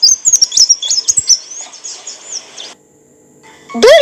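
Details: Olive-backed sunbird singing, a recording for tutoring and prompting cage birds: rapid, thin, high whistled and twittering notes for about three seconds, then a pause before one loud sweeping note at the end.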